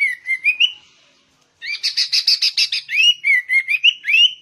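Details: Sooty-headed bulbul in full, lively 'gacor ngegaruda' song: short rising whistled notes near the start, a pause, then a fast buzzy chattering burst at about three notes per second, ending in more clear upward-slurred whistles.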